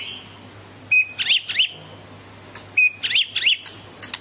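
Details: White-rumped shama of the Medan type giving a short flat whistle followed by two twisting, sharp high phrases, the pattern repeated twice with pauses between, over a low steady hum.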